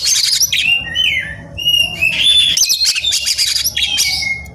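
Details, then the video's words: Fired-up Oriental magpie-robin seeking a rival; continuous rich song of clear whistled notes mixed with harsh, scratchy chatter, steady and loud throughout. "EMOSI MELEDAK KEPANASAN || kacer gacor cari lawan tarung"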